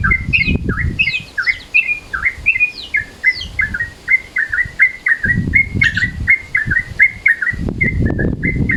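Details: Midday-mode call of a sooty-headed bulbul, used for luring birds: a steady stream of clipped whistled notes at an even pitch, with a few higher flicks early on and patches of low rumble in the background.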